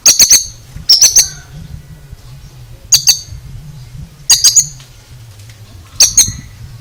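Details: Oriental magpie-robin (kacer) with a strange voice: bursts of two or three harsh, high clicking notes repeated roughly every one to one and a half seconds, over a low steady hum.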